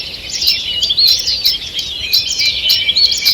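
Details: Forest dawn chorus from 2 June 2023: bright, high-pitched chirping and twittering from many birds, with sharp ticking notes punctuating a steady layer of song.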